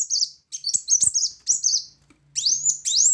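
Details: Brown-throated sunbird in loud 'tembakan' song: dense, jumbled high chirps and slurred notes, then strongly rising whistled sweeps. A soft low hum runs in the background.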